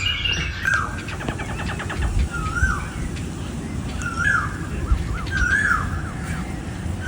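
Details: Asian koel, male and female sounds, with slurred whistled notes near the middle pitch range recurring every second or so, mixed with a rapid series of short notes from another bird and a low background rumble.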